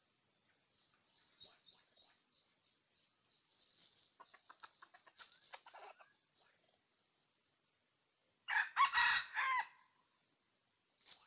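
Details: Red junglefowl decoy bird used for trapping, early season, Ninh Thuận, Vietnam, 2019: one loud harsh crow of several rough syllables near the end, after soft high chirps and twitters from small birds and a few faint clicks.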